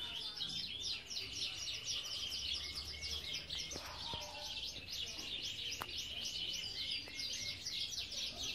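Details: Aviary of Belgian canaries in everyday life, a thick, unbroken wash of bright twittering and fast repeated trills from many birds, with occasional sharp clicks and a lower whistled note beneath.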